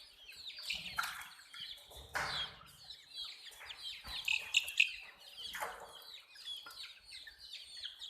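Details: Many baby chicks of the hen chirping together: dense overlapping high, thin descending peeps, continuous throughout, with occasional soft thuds and rustling.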